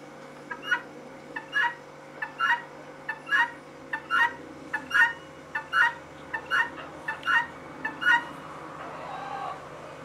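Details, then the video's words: Female guineafowl calling, a harsh two-part note, a short clipped sound then a longer grating one, repeated roughly every 0.7 seconds for about a dozen calls, with steady low machine-like hum underneath. "Female guinea calling/sound"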